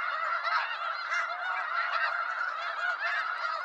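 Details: Brief burst of wild snow goose flock noise from eastern North America: many barking, nasal honks blend into a thick, constant wall of calling.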